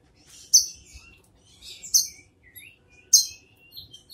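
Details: Brown-throated sunbird delivering three sharp high chips at uneven intervals, mixed with softer thin whistles and twitters from nearby birds.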